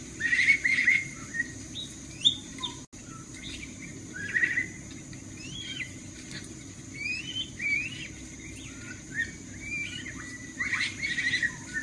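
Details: An Oriental magpie-robin, used as a lure call, sings a lively run of varied whistles, slurred notes and short buzzy phrases, mostly mid-to-high pitched, over a steady high hiss.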